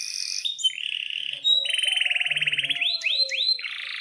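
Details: Canary in excited breeding-season song, used as a lure to get canaries singing: high chirps, then a steady pulsing buzzy roll, upswept whistles and a rough burst, over a faint low hum.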